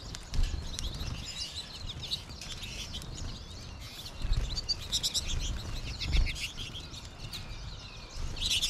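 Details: A flock of American goldfinches in March, some in the trees overhead, keeps up a steady chatter of high, quick twittering chirps that overlap and swell in bursts, over a low rumble of background noise.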